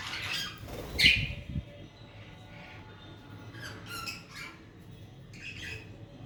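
A budgerigar gives a loud, harsh squawk followed by scattered scratchy chirps.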